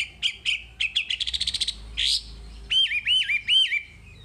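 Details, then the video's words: A wambi sings a tutor-style phrase: quick rapid chips speeding into a trill, a brief harsh burst, then three clear looping whistles repeated about every third of a second. "Masteran Wambi paling istimewa full materi"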